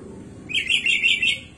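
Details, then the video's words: Sooty-headed bulbul giving a short burst of lively, bubbling whistled song phrases, rapid warbled notes running together for about a second. "KUTILANG GACOR ISIAN MELIMPAH"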